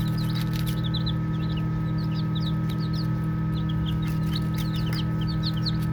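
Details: Several baby chicks playing, giving short high chirps in rapid, uneven clusters, roughly two per second, with a constant low mechanical hum underneath.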